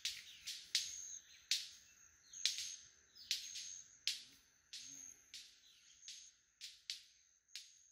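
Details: Male White-collared Manakins lekking in Costa Rica at Rancho Naturalista Lodge, snapping wings and calling: a quick series of crisp cracking snaps, roughly one every second, with faint high calls and constant buzzing insects behind.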